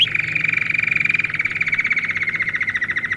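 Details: A canary sings for young birds in training: a single sustained, fast, rattling roll at mid-high pitch. It begins with a brief higher note and eases slightly lower over three seconds, above a faint low hum.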